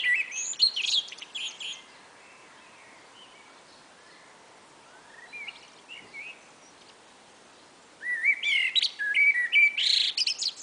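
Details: Two common blackbirds in a spring afternoon exchange: a loud burst of warbled, fluty phrases with a squeaky high twitter, a quiet gap with soft distant notes, then another bright run of fluted notes and shrill chatter.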